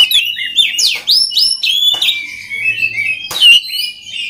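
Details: Oriental magpie-robin song used to train other magpie-robins to sing readily: loud, varied whistled phrases, sliding notes and sharp chirps, broken by brief clicking bursts, with a short rising-falling whistle near the end.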